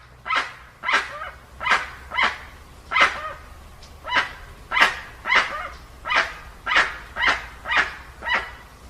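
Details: Dusky-legged guan, recorded without added effects: a long, fast series of about fifteen harsh, barking honks, evenly paced around two per second, loud and rasping throughout.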